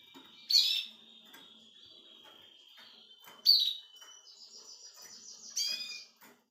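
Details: Nine-year-old male Russian canary singing while teaching its young grandchildren: a bright rolling trill and a long steady whistle, with a few short phrases separated by quiet pauses.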